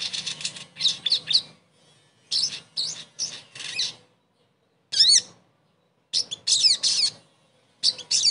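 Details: Sogon song played as therapy to make a bird that stopped singing sing again: clusters of high, scratchy chattering notes and a few sharp zigzag whistles, separated by gaps of silence.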